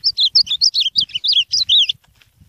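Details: Ultramarine grosbeak singing a fast warbled phrase of about a dozen clear, sliding whistled notes that rise and fall and run for nearly two seconds, with faint low thumps underneath.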